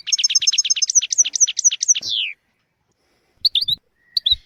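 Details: Goldfinch tutor song for canaries and goldfinches: a crisp repeated note pattern about two per second accelerating into a downward buzzy slur, then silence broken by two short chirp bursts.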